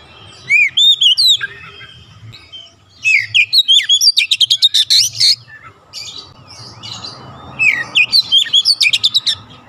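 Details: Oriental magpie-robin song played to make a reluctant bird sing: bright slurred whistles, scratchy bursts and fast repeated staccato notes in lively phrases, with a faint steady hum beneath.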